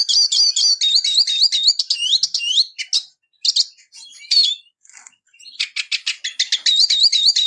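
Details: Eurasian siskin singing: a close, loud, rapid jumble of high twittering notes, repeated wavy trills and buzzy rattles, broken by brief pauses, then resuming with dense chattering and wavy whistles.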